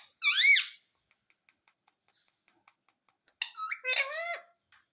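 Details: Pet parrot talking, saying "mummy": a bright rising-falling syllable, then a pause with soft ticking, then a two-part warbled word with a flat note sliding into a wavering tone.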